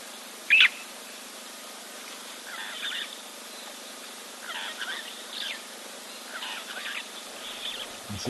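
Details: Red-billed buffalo weavers nesting in a tree above a waterhole camera, 5 March, give bursts of scratchy, chattering notes every second or so, with a single sharp, loud note near the start.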